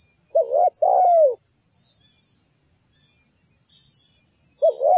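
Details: Zebra dove cooing from a lure recording meant to attract its own kind: one full phrase of quick broken notes flowing into a long descending coo, then the beginning of the next phrase after a pause of about four seconds.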